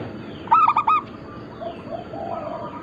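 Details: Local zebra dove, Bangkok cross, in a lure and training recording: a loud burst of three quick coos, followed by softer lower coos from other doves in the background.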